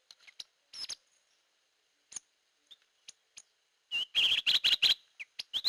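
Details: Hair-crested drongo, locally called gentolang or srigunting kantil, used as a lure sound: scattered sharp chirps and short metallic notes, then a dense burst of loud buzzy, ringing notes near the end, with a few clipped chips after.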